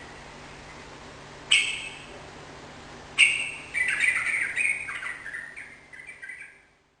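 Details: Lively Sooty-headed bulbul song: two sharp bright opening notes a second and a half apart, followed by a tumbling, descending series of bubbly chirps that fades out.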